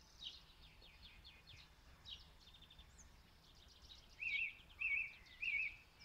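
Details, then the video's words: Song thrush in Zala county, Hungary, singing at distance into a mobile phone: faint scratchy notes, then a clear wavering whistled phrase repeated three times at roughly even intervals, typical repeated strophe. "Énekes rigó (Turdus philomelos) énekhangjai (song)"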